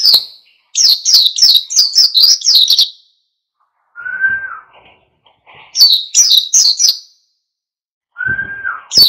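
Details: Oriental white-eye in full ngalas song, meant to stir other birds into singing: fast bursts of high, downslurred chirps, eight or so in a row. The bursts alternate with a steady, lower, flat whistle.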